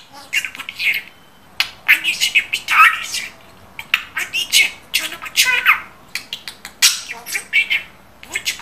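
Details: Pet budgerigar speaking: short, rapid bursts of scratchy, buzzy mimicked speech, squeaks and chatter come in quick phrases separated by brief pauses, all high-pitched and indoors.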